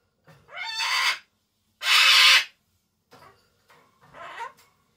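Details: A pet Solomons cockatoo calling for its owner out of affection, giving two loud raspy screeches, the second harsher and louder, then softer rising squawks.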